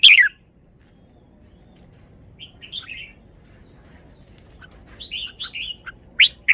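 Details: Red-whiskered bulbul song phrases: a sharp opening note, then quiet, soft whistled notes building into a livelier warbled phrase and a final loud note.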